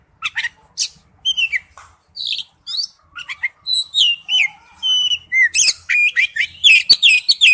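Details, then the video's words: Wild-type forest-style song of an Oriental magpie-robin: a lively run of varied whistled and chattering phrases, some rising, some falling sweeps, delivered in quick bursts with short gaps, becoming denser and more continuous toward the end. "Chim chích chòe than hót giọng rừng"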